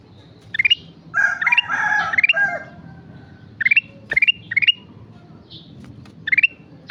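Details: Lively kutilang emas song: a busy, tangled chorus of overlapping warbled notes, then several separate short phrases of rising stepped whistles with gaps between them.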